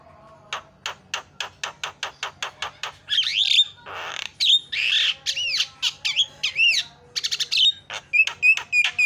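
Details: Starling song used as a lure to get a starling that refuses to sing to start chattering: a fast run of sharp clicks, then loud buzzy rising and falling whistles with looping notes.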